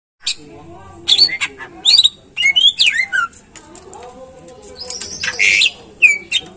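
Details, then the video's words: Greater green leafbird song, played as a lure to get caged birds singing often: sharp high chirps and short whistled slurs in scattered bursts, then a longer buzzy high note near the end, over faint low background hum. "Pancingan Cucak Ijo Biar Rajin Bunyi Dan Gacor"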